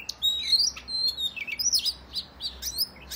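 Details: Oriental magpie-robin in energetic fighting song, meant to provoke other males into display and tail-spreading; clear, varied whistled phrases sliding up and down, with sharp high notes in quick succession and a quiet background.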